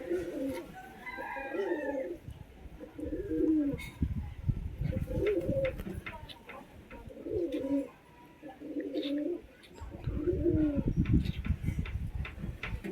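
Pigeons give soft, throaty coos in short rolling bursts, repeated over a low rumbling background.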